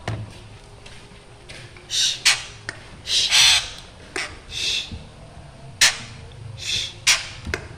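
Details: Black drongo in a noisy, frightening-sounding calling bout: repeated harsh, grating squawks of uneven length, several close together, with sharp clicks between.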